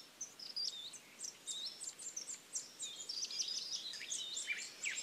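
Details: Nesting Varied Sittellas of the Capertee Valley, Australia, from eggs to fledglings; a dense, continuous twittering of high, sharp chips and squeaky slurred notes, several birds seemingly overlapping.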